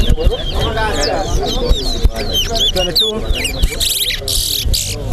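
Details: A chestnut-bellied seed finch (towa towa) whistles in a competition at Lusignan bird ground, Guyana: quick, clear phrases with sliding, warbling notes over crowd chatter and low background noise, with a hissy burst near the end.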